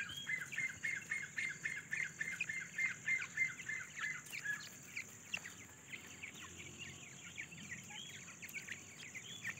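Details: Grey francolin chicks searching for food: a rapid series of thin, high peeping notes, about three to four per second, strongest in the first half and then softer and more scattered, with a steady high-pitched hiss throughout.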